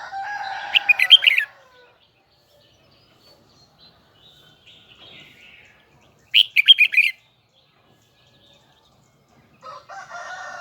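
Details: Huế red-whiskered bulbul singing its high double twisted song: two separate bursts of fast, bright, looping whistled notes several seconds apart, with faint soft chirps in between and a low warble at the end.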